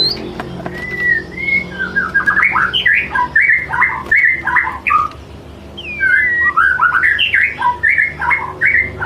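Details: White-rumped shama in top condition singing a lure song to draw out another shama's imitated repertoire: a rapid, varied stream of clear whistles, slurred rising and falling notes and short chirps, pausing briefly near four seconds before resuming.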